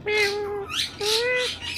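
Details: Talking pet parrot imitating sounds: two long, level, tonal notes with strong harmonics, each followed by a harsher squawky, breathy burst, indoors.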